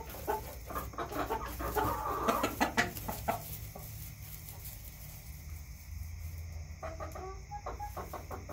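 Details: Backyard chickens cluck in a busy burst early on, including a drawn-out rising note, then quieter clucks near the end against low hum.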